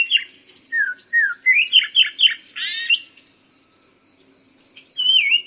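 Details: Black-throated laughingthrush (poksay mandarin) singing a varied run of clear whistled notes, some slurred downward and some rising, then a quick burst of rich, strongly modulated phrases, a pause, and another whistled phrase; faint steady background hiss.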